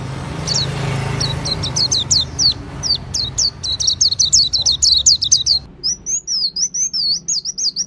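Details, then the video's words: An Oriental white-eye (Auri type) sings a fast, high, thin twittering of short sweeping notes, then shifts into a continuous warbled trill, over a faint low hum. "Pleci Auri Gacor Ngriwik Bongkar isian"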